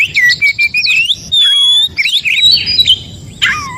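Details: Oriental magpie-robin recorded in the wild forest, song meant to prompt silent captive magpie-robins to sing: clear whistled phrases, a long level note then gliding slurs and sharp chirps, over a low background rumble.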